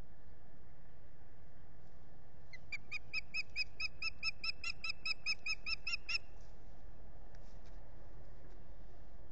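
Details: An osprey at its Finger Lakes nest in the US begs for food, 8 April 2022, recorded by a solar-powered nest camera. About eighteen insistent, piercing whistles come in a steady run of almost four seconds, with low wind rumble throughout.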